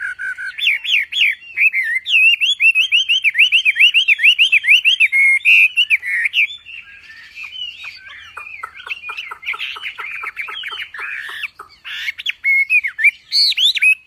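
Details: Full tembakan masteran song of a Javan pied starling (wambi): long fast sequence of loud, looping whistled notes, then softer rapid clicking and chattering, ending in renewed bright whistles.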